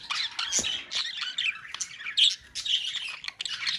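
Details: Harsh parakeet squawks from a colony, short raspy screeches in rapid clusters separated by brief gaps, several callers overlapping.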